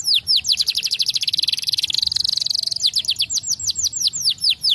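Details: Singing canary, used for training young birds: rapid pulsed trill accelerating into a dense rolling buzz, then slower clear falling whistled notes repeated about three per second.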